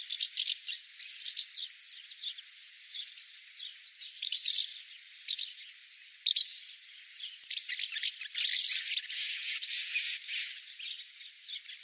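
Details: Swallow singing a fast, scratchy twitter of short high notes, broken by louder clicks and dry rattling bursts that build toward the end.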